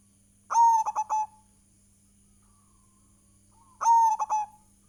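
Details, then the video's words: Zebra dove of a local Indonesian strain, in a lure recording for stimulating other doves, gives two cooing phrases about three seconds apart. Each phrase is a drawn-out coo followed by three quick staccato notes, over a faint constant hum. "PANCINGAN PERKUTUT GACOR"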